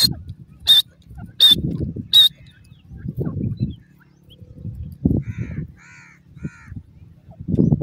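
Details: Three sharp, high calls from a baby francolin partridge (dhobi teetar) in forest come about a second apart, followed by low murmuring voices and handling noise, then a few faint thin notes.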